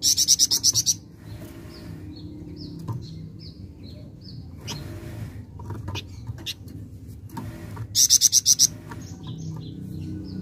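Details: Flameback rattles twice, a fast run of high staccato notes at the start and again near the end, separated by several seconds of soft, thin chirping from other birds.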